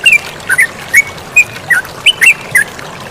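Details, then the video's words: Yellow-vented bulbul singing with flowing water behind: about nine short, clear whistled notes, some slurred downward and some paired, spaced irregularly through three seconds over a soft watery hiss. "MASTERAN TERUCUKAN GACOR DAN SUARA AIR MENGALIR"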